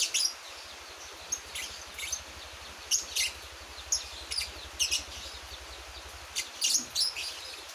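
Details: A one-month-old Javan white-eye learning its song gives sparse, sharp high chirps spaced irregularly over a low steady hum in the background.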